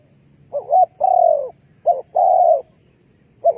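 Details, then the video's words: Spotted dove used as a decoy for trapping doves, in Cambodia: short hooked notes followed by long, even, throaty coos near 600–800, in two-part phrases with pauses between. "លលកធ្នាក់សម្លេងដេញព្រៃ Good Dove trap"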